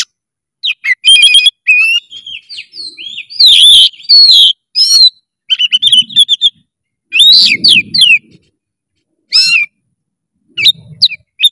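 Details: Kacer (oriental magpie-robin) song: rapid repeated notes, loud slurred whistles and harsh chattering bursts, with faint low thumps beneath some phrases.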